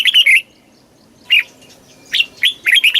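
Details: Red-whiskered bulbul, Thailand, in southern master-pattern style song for exciting birds and training young: short clipped bursts of bright chirping notes, one after a long pause, then several in quick succession.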